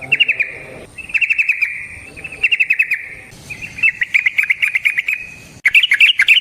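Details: Yellow-vented bulbul in energetic long rolling song, used as a lure for other bulbuls: rapid chattering bursts repeated back to back, ending in a bright bubbly warbled flourish, with a faint high hum.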